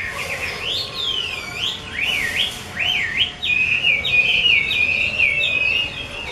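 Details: Chinese hwamei in a cage singing loud, ringing whistles: broad swooping slurs at first, then a fast trill-like run of repeated short whistled notes.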